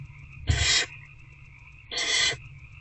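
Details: On the night of 19 February 2024, an adult barn owl feeds a rat to an older owlet in a nest box. A bump, then a loud breathy hiss, and a second matching rasp about 1.4 seconds later, with background hum.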